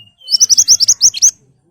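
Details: Ashy tailorbird song played as a lure so birds answer quickly: a fast, loud series of about eight sharp, rising high whistled notes in under a second, preceded by a thin level whistle.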